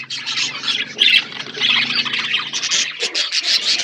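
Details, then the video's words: Budgerigars in a forest-environment aviary: a dense, continuous chatter of high, scratchy chirps and warbles overlapping throughout, with short squawky bursts near the one-second mark. "Budgies parrot in forest environment aviary birds chirping sound"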